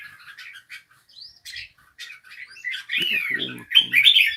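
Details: Scattered thin chips and a rising whistle from a bulbul build into louder, richer warbled phrases toward the end, with a few low buzzy sounds mixed in.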